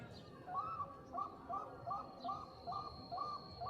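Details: Zebra dove, Bangkok type, used as a lure to draw other zebra doves to answer; soft repeated two-note coos, evenly spaced about every half second, over a noisy low background with a steady high tone.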